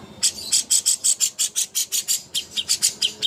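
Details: Greater green leafbird (cucak hijau) master song for bird contests. A steady, rapid chatter of harsh, bright high chirps, roughly three each second, runs without a break.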